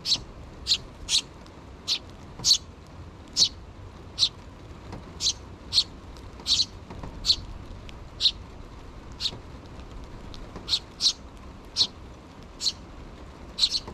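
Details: Nestling sparrows, two chicks not yet fledged, begging their parent birds for food: a long series of brief, sharp high chirps at uneven intervals, sometimes in pairs, over steady low hum.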